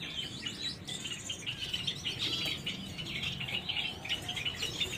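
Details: Yellow-backed, orange-hooded Gouldian finches give a steady stream of high, thin chirps and soft twittering notes that overlap continuously, as from several birds together, over faint low background noise.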